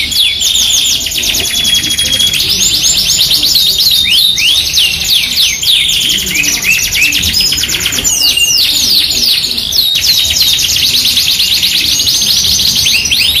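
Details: Masteran recording of a loudly singing Yorkshire canary alongside an AF canary with luxurious cengkok: long bright rolling trills, sharp swooping notes and brief steady whistles, a short pause near eight seconds, otherwise nonstop.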